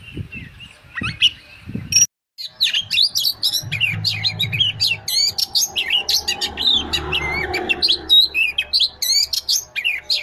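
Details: An energetic Oriental magpie-robin gives a long, continuous torrent of varied high whistles, chirps and slurred notes, delivered fast and almost without break after a brief gap early on.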